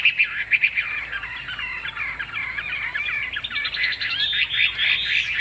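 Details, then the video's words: Chinese hwamei kept in a cage, with a big tail, delivering a fast, fluent run of varied whistles and trilled notes that builds in strength toward the end of the five-second phrase. "Họa mi đuôi lá vả bóng bộ đẹp hót hay"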